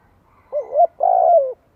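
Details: Spotted dove decoy cooing to call others: a single phrase with a rising, bending double note and then a longer vibrating coo that gently falls away, heard over faint low hum.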